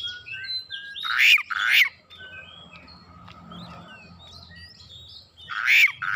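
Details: Oriental magpie-robin (kacer) answering at once and insistently, unloading its learned song repertoire: three loud, harsh rasping bursts spaced about half a second and four seconds apart, with faint thin whistles in the background.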